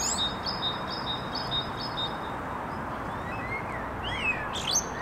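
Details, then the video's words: Trio of common starlings singing: thin drawn-out whistles and short slurred notes, soft at first, then brighter rising and falling whistles near the end, over steady background hiss. "Скворцы музыкальное трио"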